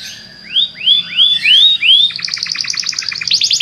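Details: A Belgian canary gives five loud rising whistled notes in steady succession, followed by a quick stuttering trill of paired high notes.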